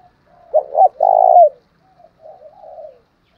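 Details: Spotted dove cooing, a recording played to provoke rival males into calling: two short low hooted notes followed by a longer, even, drawn-out coo, then a softer, wavering trailing phrase.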